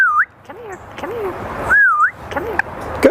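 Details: Einstein, a 30-year-old African grey parrot at Knoxville Zoo, when asked to call the dogs, mimics a person doing so: two loud, clear whistles, each dipping then rising, with softer voice-like sliding sounds between them.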